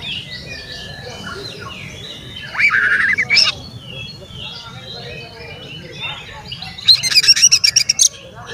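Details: Oriental magpie-robin singing to provoke rival magpie-robins: a short burst of scratchy mid-pitched notes, then a run of quick, sharp, high repeated notes near the end, with faint twittering birds in the background.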